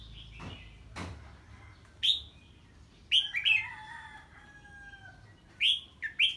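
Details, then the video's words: Red-whiskered bulbul singing on hearing an unfamiliar bird: short loud whistled notes that rise then fall, spaced out, with a steady fainter whistle in between and two dull knocks near the start. "Chào Mào Hót Ché Khi Nghe Tiếng Chim Lạ"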